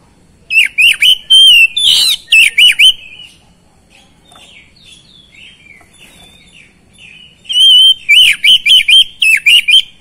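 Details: Oriental magpie-robin song played to stir quiet magpie-robins into singing: rapid series of loud, ringing whistled notes with sharp down-swept slurs, a long pause with soft background twittering, then another fast run of repeated whistles.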